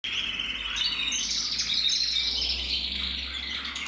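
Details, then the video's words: Male red-black mosaic canary from a canary breeding aviary in the Loisach valley, recorded 2024, singing a continuous, dense stream of high twittering notes and fast trills without pause; faint low hum underneath. "Kanarienvogel Rot-schwarz mosaik 2024"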